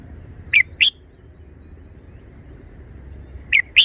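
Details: Red-whiskered bulbul giving short forest-style song: a pair of sharp, rising whistled notes, then after nearly three seconds of silence a second matching pair, over a low steady rumble.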